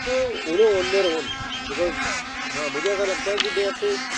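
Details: Bar-headed geese on migration in Pakistan; a flock gives many overlapping nasal honks, each wavering up and down in pitch and repeating continuously throughout.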